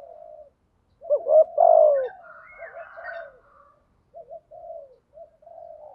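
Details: Spotted dove calls, male and female, for bird training and luring; soft low coos at start and end with one louder two-note cooing burst near the second second, plus faint higher chatter behind it.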